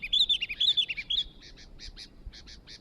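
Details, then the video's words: Sooty-headed bulbul, newly acquired and singing eagerly, pours out a fast string of rolling, warbled notes, then a series of brief evenly repeated chips fading softer. "burung kutilang baru Gacor dor"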